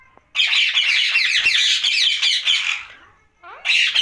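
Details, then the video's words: Rose-ringed parakeet at night pouring out a continuous, dense stream of scratchy chattering squawks for almost three seconds, then falling silent briefly before another harsh burst. "Night Talking parrot Mitthu Ringneck"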